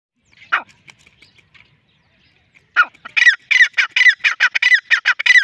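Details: Male grey francolin calling. After a few scattered notes and a short silence, a loud series of harsh, ringing notes starts up and repeats rapidly to the end.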